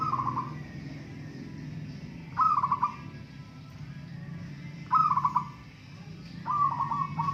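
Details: Local zebra dove in a singing contest, three rolling pulsed coo phrases about two and a half seconds apart over a steady low background rumble.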